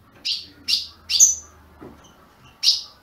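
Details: Caged ultramarine grosbeak, kept by a registered breeder in Brazil, giving short, bright, high chirps, five notes spaced about half a second apart, with a faint low hum underneath.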